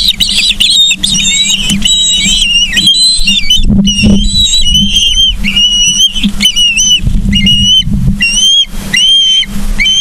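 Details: Ospreys on a nest in Charlo, Montana, 31 August 2023, 09:36, live camera: chirps shift into longer slurred whistles, some rising then falling, repeated in bursts, with rumbling wind-like noise and a steady hum.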